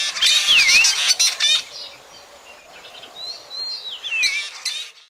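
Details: Black drongo calls for night bird trapping: a burst of harsh buzzy chatter with a dipping whistle, a quiet pause, then sliding whistles and more rasping notes.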